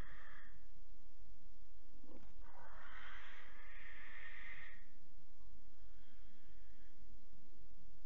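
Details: Young barn owls about 12 weeks old in Alphen, 8 August 2019 at 23:33, being driven off by the parents reclaiming their nest box; one long harsh hissing screech of about two seconds, over steady low background hum.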